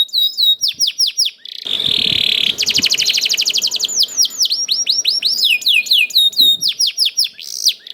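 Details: Canary song in the rolling, persistent style meant to prompt other canaries: repeated swooping whistles, a dense buzzy roll, a rapid trill, then more swooping chirps, with faint background noise.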